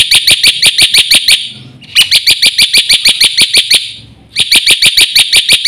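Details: Black-winged myna in lively, full 'isian' song, meant as a tutor for other mynas: three bursts of shrill, evenly repeated chipping notes, roughly three per second, separated by short quiet gaps with faint low rumbling.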